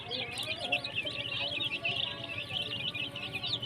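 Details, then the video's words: Chicks peeping in a busy, overlapping stream of high, wavering chirps, with a faint lower voice-like murmur and steady low background noise underneath. "baby chicken chirping sound"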